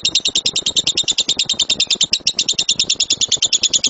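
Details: Lovebird voice in the rumbling tembakan style used as a training master: an unbroken rapid chatter of buzzy, shrill notes, about eight per second, very regular, filling the whole stretch.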